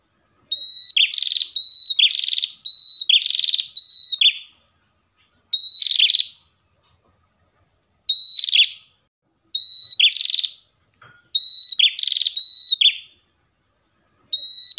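A pair of ashy tailorbirds trade bright, high, repeated notes in rapid bursts with short pauses between phrases.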